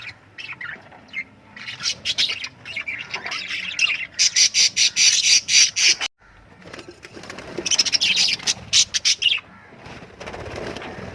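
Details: Lovebird chirping: loud, rapid runs of piercing chirps with fluttery, wing-like bursts, a short silent gap, then more shrill twittering that fades into soft hiss.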